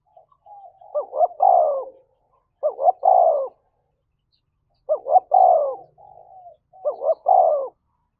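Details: Spotted dove fighting coo in the thổ voice style: four even phrases, each two clipped notes and then a long falling coo, in pairs separated by a short pause, with faint soft notes between.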